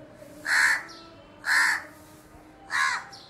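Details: Three harsh, drawn-out caws from a crow perched at a house window, each about half a second long and separated by about a second of quiet background.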